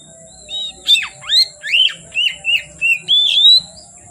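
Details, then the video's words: Kacer, or oriental magpie-robin, singing toward nightfall: a series of about eight rich, looping whistled notes, each dipping then rising, the last drawn out, with a faint background hum. "Kacer Gacor Sore Sampai Gelap Malam tetap Bunyi Gacor"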